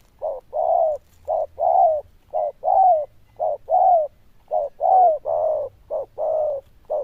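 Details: Loud-voiced zebra dove of the đồng chuông style with good cooing, steadily repeating phrases of a short clipped note followed by a longer warbling coo, roughly one phrase a second, clear and close.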